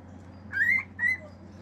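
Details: Two rising whistles from a male pet cockatiel: the first longer and sweeping upward, the second short and clear, a brief pause between them.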